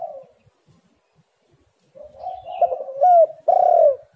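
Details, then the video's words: Spotted dove on a recording used to lure doves into calling. After near silence, a low cooing phrase rises in volume and ends in two strong, falling coos. "tekukur super gacor"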